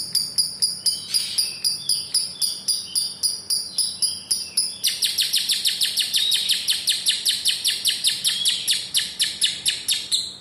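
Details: Lovebird in extended ngekek trilling, meant for training young birds and prompting reluctant ones: clipped high chips grouped in jerky bursts, then a sustained rapid rattle of bright, sharp notes lasting over five seconds.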